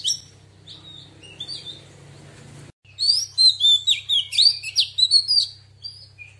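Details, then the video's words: Female Oriental magpie-robin in wild-type voice, sung to stimulate other birds: soft scratchy notes at first, then after a brief break a loud burst of quick whistled slurs and chattering phrases over a constant low hum. "Choè than mái hót giọng rừng kích trống căng đét"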